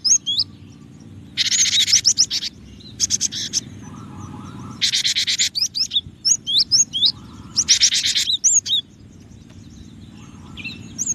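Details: Cinereous tit uttering dense, buzzy, churring bursts between high, clear whistles, with a softer mid-pitched hum in places and a constant low background drone.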